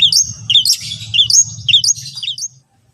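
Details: Long-tailed shrike, recorded to set off other shrikes: rapid twisting high whistles mixed with a scratchy burst, over a low hum that stops near the end.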